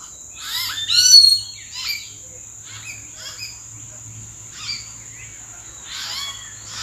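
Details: Common hill mynas recorded in April calling from treetops, giving irregular bursts of harsh, slurred and whistled notes, one loud squeal near the start, with a constant high-pitched insect drone and a faint low hum behind.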